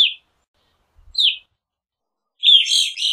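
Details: Evening grosbeak with two short descending chirps followed by a longer, run-together burst of buzzy chattering notes.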